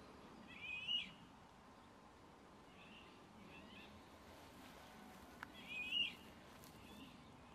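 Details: Eurasian golden oriole (Oriolus oriolus) song: two short, rich whistled phrases about five seconds apart, with fainter answering notes between, over a steady background hiss.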